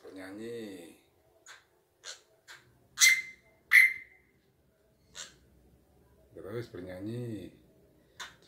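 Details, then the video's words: A pet drongo (srigunting) with a resonant voice gives two loud, ringing whistles sweeping steeply down and a few short chips while being urged to sing to hand rhythm; it grows bolder when approached. A man speaks before and after. "BURUNG SRIGUNTING SUARANYA MENGGEMAH"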